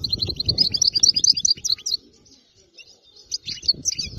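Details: Wild-caught European goldfinch with a fault-free song. A rapid stream of tinkling, twittering notes runs for about two seconds. After a brief lull, scattered sharp chirps resume. A low rumble is present underneath.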